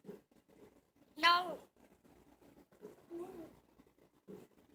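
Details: Winston, a talking pet parrot, says a speech-like phrase as he does every time the door opens ("he'll be back"): one loud, rich half-second utterance, then a softer phrase, with quiet indoor voices murmuring.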